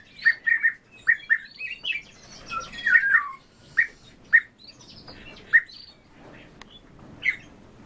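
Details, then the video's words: Pair of orioles kept in captivity duetting. Short, clear whistled notes repeat at an uneven pace, about fifty a minute, with brief higher chirps mixed in. "ИВОЛГИ ДУЭТ Oriolus"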